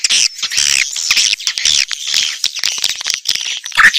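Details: Swiftlets in a lure recording made to attract them, meant for outdoor and indoor speakers: dense, fast chattering and buzzy twitters, high and bright, in bursts broken by short gaps, with faint low pulses beneath.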